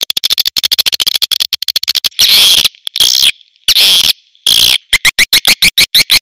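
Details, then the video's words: Premium swiftlet calling sound: rapid dry ticking clicks in quick series, broken by long, loud, buzzy chattering bursts with a shrill whine, then a row of short rising chirps. "SP BURUNG WALET PREMIUM"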